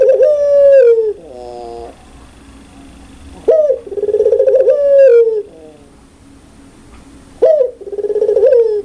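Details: Spotted dove of the pelung style, known for a loud, clear voice: bright, harmonic-rich coos rolling downward, each loud phrase followed by softer stepped notes, phrases returning about every three to four seconds.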